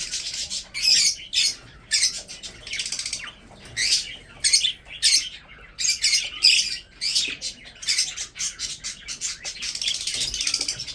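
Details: Budgerigars from a breeding group, eating food, chirp in separate squawky bursts of under a second, with quiet gaps between, in a small indoor space.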